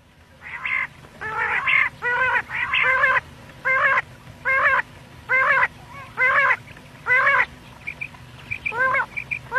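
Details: Quail (batair) calls used at night in Pakistan quail hunting: a series of harsh, nasal, buzzy notes, each about half a second long, repeated roughly once per second, with a few fainter short chips at the end.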